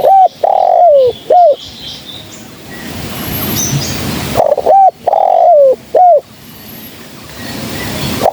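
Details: A female spotted dove, its voice used to lure birds for trapping, coos in two loud phrases about four seconds apart, each a short note, a long falling coo and a hooked ending. Faint high chirps from other birds sound in the gaps.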